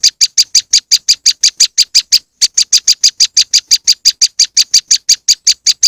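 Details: High, clipped notes from a moss wren, given as a lure, repeat steadily at roughly five per second across six seconds, with one short gap near the two-second mark.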